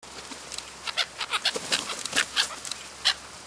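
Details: Black-headed gulls in the New Forest, Hampshire, England, in July 2009: a rapid scatter of short, harsh squawks from several birds, overlapping at irregular intervals over a faint background hiss.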